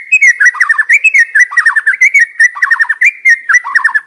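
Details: Decoy white-rumped shama singing a fast, continuous stream of rippling whistled notes, dipping and rising in rapid repeated trills.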